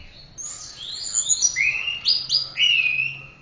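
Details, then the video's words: Song of an Orange-headed thrush meant for tutoring pet birds: high thin notes sliding down into a series of rising whistled slurs. "Masteran Suara Burung Anis Merah"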